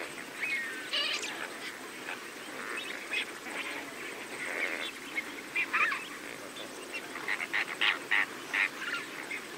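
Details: Several greater flamingos feeding together with lesser flamingos, giving overlapping nasal honking and gabbling calls, some sharper bursts standing out from a constant murmuring flock din.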